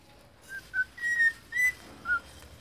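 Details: Young cockatiel learning to sing: five short, clear whistled notes in quick succession, mostly steady in pitch with slight rises and falls, separated by brief pauses in a quiet setting.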